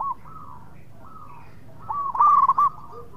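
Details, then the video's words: Local zebra dove in lively, persistent song, used as a lure so rival birds answer quickly: soft, mid-pitched cooing notes, then a louder burst of rapid, bubbling coos lasting under a second, over a low background rumble. "PERKUTUT LOKAL GACOR BIANGANYA PANCINGAN LAWAN CEPAT NYAUT"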